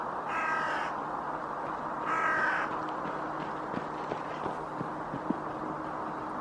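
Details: A hooded crow foraging on sea ice in Helsinki, Finland, in January 2024 gives two harsh, hoarse caws about two seconds apart, followed by faint clicks and taps against a low background hiss.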